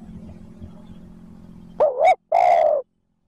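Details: Spotted dove coo used to goad wild doves into answering. A quiet low-hum background gives way to a quick warbling double note, then a drawn-out, even, husky coo.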